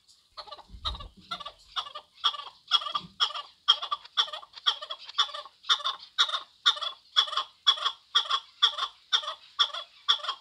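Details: Chukar partridge calling in a fast, regular run of rasping chuck notes, roughly two each second, loud and even throughout; dull low knocks near the start.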